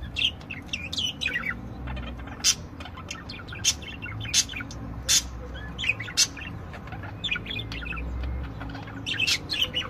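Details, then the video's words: Several budgerigars sing, giving scattered short, high chirps and twitters, some sharp and bright, spread across the stretch over a steady low background hum. "Chant perruches"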